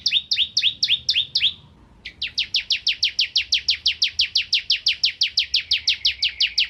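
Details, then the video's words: Bar-winged prinia (ciblek kristal) singing vigorously as a tutor for magpie-robins: a short run of six doubled, high downslurred notes, a brief pause, then a long steady series of about twenty-four sharp descending chips. "Burung Ciblek Kristal Gacor Untuk Masteran Murai Batu"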